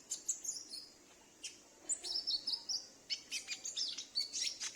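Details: Home-kept konin (Brown-throated Sunbird) used to draw out wild or escaped birds: quick series of very high, sharp tweets and thin metallic chips, coming in lively clusters separated by brief gaps.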